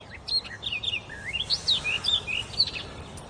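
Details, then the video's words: Wild bird singing freely and abundantly in a forest: a lively run of clear whistled notes, some rising and others falling, with swooping slurs and quick chirps, over a low background hiss. "Pássaro na floresta cantando muito."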